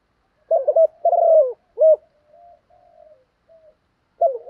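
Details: A spotted dove cooing in the 'thúc gù' urging style for decoy training: one complete low phrase of choppy coo, long descending purr and clipped end note, then faint soft coos before the next phrase begins.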